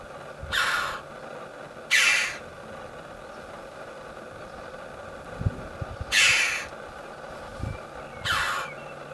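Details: Two choughs sitting atop a castle tower at Caracuel give harsh, ringing calls, four bursts spaced about two seconds apart, over low background rumble.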